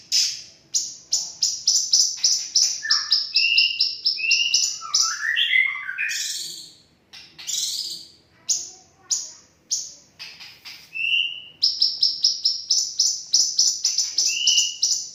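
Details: A cage bulbul's lure song of rapid, high-pitched chirps repeated about four per second, broken midway by lower warbled and slurred whistles, then resuming the fast chirping series.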